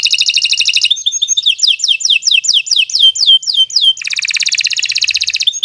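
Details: Long canary song for training other birds: a rapid trill, a run of repeated downslurred whistles, then a long, steady, fast rattling trill.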